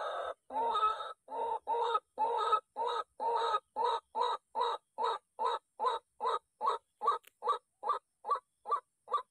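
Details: A White-breasted Waterhen, agitated by a loud MP3 lure at a trapping spot, gives a long, steady run of harsh, croaking notes, about two and a half each second, the notes growing shorter as the series goes on.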